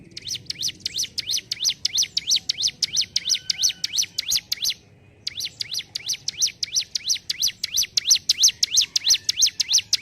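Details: Hill prinia, known locally as ciblek gunung, singing gacor ngentrok: long runs of sharp, high up-and-down chirps repeated about three each second, broken once by a brief silence before continuing.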